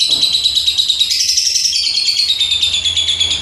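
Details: Lovebird in full song: an unbroken stream of piercing, rapidly pulsed chattering notes, slightly rising mid-phrase then easing down, at about three notes per second, with low background hum.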